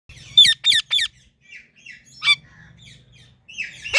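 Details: Indian ringneck parakeet, a talking pet bird, chirping: three harsh, rasping squawks in quick succession, then a scratchy single chirp and a final shrill squawk after soft scattered twitters.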